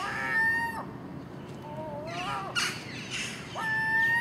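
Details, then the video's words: Common gulls feeding on garbage beside a house at dawn, together with a magpie and crows: short, clear, slightly rising wailing calls repeated, interrupted by harsh, scratchy chatter and noisy bursts in the middle. "Common Gull Magpie and Crow making noise at early morning"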